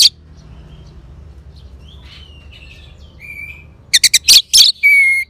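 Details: Orange-headed thrush phrase, played to coax a quiet bird to sing: faint warbles, then a loud cluster of sharp, high clicking notes ending in a long, clear, level whistle.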